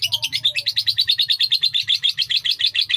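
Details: Indonesian lovebird giving sakera-style song at length, a quick, steady string of high, scratchy chirps repeated roughly six times a second over a faint low drone.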